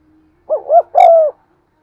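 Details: Spotted dove cooing, played to lure and provoke wild birds: three low, rounded coo notes, the first two short and rising, the last longer and steadier, over about a second, with a quiet background.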